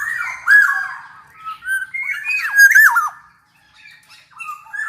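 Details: Black-naped oriole singing to stimulate other orioles: loud fluty whistles that twist up and down, interspersed with harsh nasal notes in a lively phrase, a short pause, then softer whistles.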